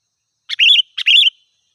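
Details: Two rapid, clear phrases from an energetic sooty-headed bulbul, played to lure wild birds. Each begins with a brief chip and runs into a liquid, wavering whistle. Nothing else is audible.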